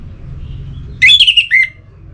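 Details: Orange-headed thrush, its song used to stimulate singing: a single loud phrase of warbled whistles wavering up and down, ending in a falling slur, set against a low mechanical hum.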